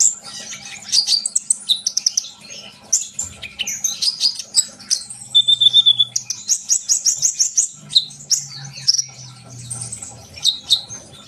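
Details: Sunbird singing in rapid, high twittering runs mixed with thin whistles and one brief buzzy trill, pulsing in quick bursts over a faint low hum; the song is meant to spur young birds into song.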